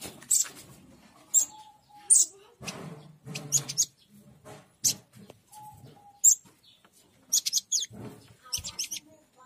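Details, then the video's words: Fierce call of a local Oriental white-eye, a sound meant to draw wild white-eyes in. Thin high-pitched chirps come in short rapid clusters with brief gaps, over a soft lower rustle and a faint level tone. "Pleci Daput Lokal Suara Galak Untuk Memikat"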